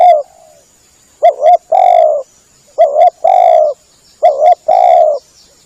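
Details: Spotted dove cooing played as a lure for hunting doves: three repeated phrases, each a quick stuttered double note leading into a long, steady, resonant coo, with short silences between.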